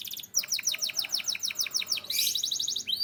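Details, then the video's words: Belgian canary singing: a rapid run of repeated downward-sweeping high notes, roughly five per second, then a dense bright buzzy burst and a final rising slur. "Belgian Canary Singing"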